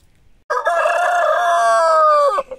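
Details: Rooster crowing in autumn: one long, loud, steady cock-a-doodle-doo lasting about two seconds after a quiet start, held level before a short drop at the end.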